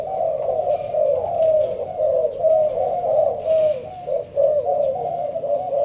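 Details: Sparse-style thúc gù cooing from a Malaysian-strain spotted dove in a leaf blind, Binh Duong, Vietnam: deep, burbling coos roughly once a second, with one brief dip in loudness near the end.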